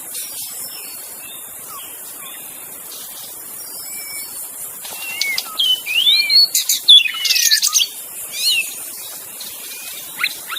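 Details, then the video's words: In forest, a wild magpie-robin starts quiet then breaks into loud sliding whistles and sharp notes midway, fading again, over persistent insect hum. "suara burung murai asli di hutan"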